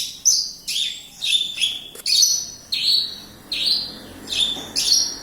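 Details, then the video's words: Javan bush lark from Kediri singing spaced, shrill notes with dropping tails, one every half second or so, with a faint low hum underneath. "Branjagan gacor"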